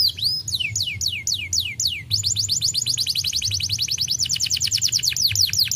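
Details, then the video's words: A canary, quiet until now, bursts into song: a run of high, sweeping downward whistles, then fast, rolling trills of repeated notes at several per second, with a faint low hum behind. "kenari diam langsung nyautt gacor"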